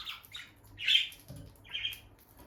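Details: Pair of bonded peach-faced lovebirds close to the nest box: two or three loud, harsh squawky chirps spaced about a second apart, with a soft thump between them.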